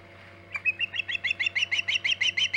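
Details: Osprey at the Hog Island nest during extended nest time around 11:45 am EDT on 14 August 2019: a rapid series of short, high, whistled chirps, roughly five or six per second, each slightly rising, over a faint steady low hum.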